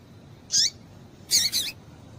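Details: Female double-collared seedeater calling to stimulate males: a single short, high, harsh peep, then a quick doubled peep about a second later, over a low steady hiss.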